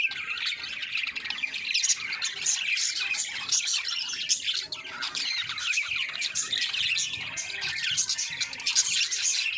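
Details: Colony of breeding budgerigars in a pairing and mating setting at home: dense, continuous high chirping and warbling chatter from many birds overlapping, with no pauses throughout.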